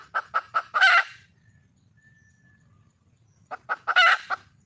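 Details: Red junglefowl hen, wild, calling for a male: quick clucks climb into a loud, grating squawk, fall silent for over two seconds, then repeat the same cluck-and-squawk phrase.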